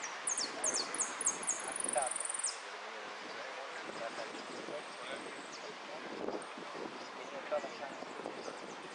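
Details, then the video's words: Caged finch entered in a singing competition, singing in the repique style: a quick run of high, thin, descending whistled notes over about two seconds, then fading under loud wind, rustling and murmuring voices. "Amarillo de Repique Concurso"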